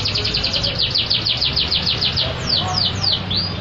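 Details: Loud canary song with a rapid run of high repeated notes, then several clear descending slurred whistles over a low steady hum.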